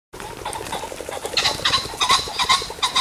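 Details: Pheasants active in fields close to a shoot: a low rapid pulsing stutter runs under harsh, hoarse call notes from several birds that repeat and overlap through three seconds.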